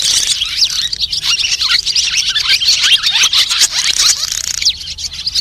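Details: A flock of white-bellied swallows calling, a lure sound for net and glue trapping; rapid high chirps and squeaky twitters pour out densely and steadily throughout.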